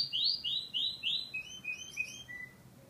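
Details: Canary song: a series of quick downslurred whistled notes repeated about every third of a second, shifting into softer, lower rising chirps and a fading final note, over faint background hiss.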